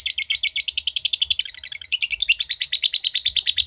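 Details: Lovebird ngekek trill: quick, high, rasping pulses repeat rapidly. Around the two-second mark the notes shift slightly higher and grow louder, then the chatter carries on steadily.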